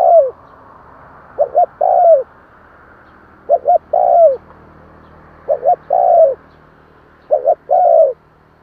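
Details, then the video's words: Spotted dove coos used to rouse newly caught doves: four phrases, each two rapid short notes and a longer coo that drops in pitch at its end, repeated about every two seconds over light hiss. "Chim cu gáy kèm hay kích bổi Nhanh nổi hiệu quả/ Tiếng chim cu kích bổi"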